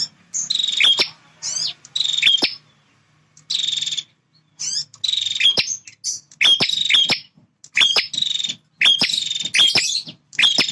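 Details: Male bar-winged prinia, a territorial fighter, singing vigorously: loud, harsh, buzzy bursts with sharp clicking notes, repeated in quick uneven series of about ten phrases with short silences between.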